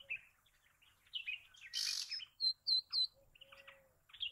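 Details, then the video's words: Bay-backed shrike singing a varied medley of short chirps, thin high whistles and quick slurred notes, broken by a burst of harsh scratchy noise, then clear separate whistled notes and a low, level tone. "Bay Backed Shrike Sound ! Bay Backed Shrike Call ! Bay Backed Shrike Song ! Bay Backed Shrike Vocals"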